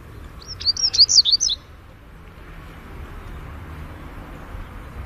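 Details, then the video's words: Double-collared seedeater singing the Greek song type: one quick phrase of about ten high, sharp, slurred whistled notes rising and falling, lasting about a second, then quiet background hiss. "COLEIRO LARANJEIRA CANTO GREGO"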